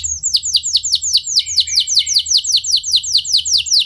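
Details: Canary song meant to prompt other canaries to sing long rolls, with a steady series of high, sharply falling whistled syllables repeated about two or three per second and no other sounds.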